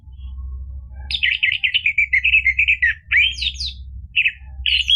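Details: Orange-headed thrush singing loud and continuous, gacor ngeplong style, as a lure for caged birds: a long twittering trill run, then sweeping whistled slurs and short phrases, over a steady low hum.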